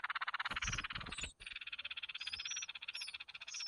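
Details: Red-whiskered bulbul nestlings begging while the mother brings food: a nearly continuous pulsed, buzzy rasp with a short break midway, some low thumping at the start and faint high whistles above.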